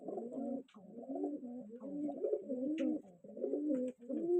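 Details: Rajshahi Giribaz pigeons, all colour-matched, cooing in low, throaty, rolling phrases that overlap almost without pause.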